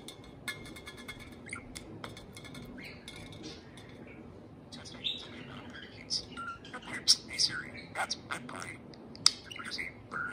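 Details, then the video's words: Pet parakeet serenading a can of beer indoors: soft, quick chirps and twittering warbles with scratchy clicks and brief squeaky notes. It starts sparse and grows busier in the second half, over a low background hum. "Pixel the Parakeet Talks + Kiwi serenades a can of beer"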